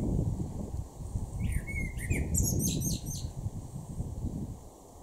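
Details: Male blackbird in a garden in Norden, East Frisia, far northwest Germany, June 2023: one brief phrase, a low fluted whistle dropping into a squeaky, rapid high twitter, over a constant low rumble of background noise.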